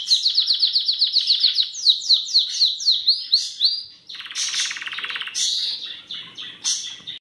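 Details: Belgian canary, Charles II type, singing a fast rhythmic trill of repeated rising-falling notes about four per second, then switching to a harsher broadband rattling roll and short bright phrases.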